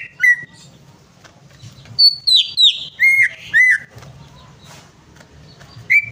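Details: Greater green leafbird song used as a prompt: a single chirp, a quiet gap, then a burst of five loud, slurred whistled notes, another silence and one final chirp.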